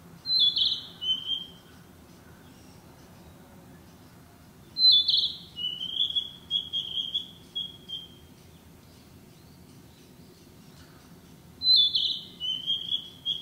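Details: Narcissus flycatcher, a summer breeding bird, singing in woodland: three separate clear whistled phrases, each starting high and sliding into lower rolling notes, spaced about five to seven seconds apart, with a quiet background.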